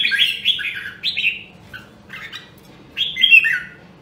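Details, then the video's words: Red-whiskered bulbul of the rare Nam Đông, Huế line in voice training: a warbled whistled phrase, a quiet pause with faint notes, then another bright rising-and-falling whistled phrase. "Luyện giọng Chào Mào Nam Đông Huế Hàng Hiếm Còn Sót Lại ! giọng cực chất"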